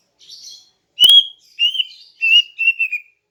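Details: Female greater green leafbird's morning song, meant to lure males: a faint high warble, then four clear whistled phrases, each sliding slightly downward, spaced about half a second apart.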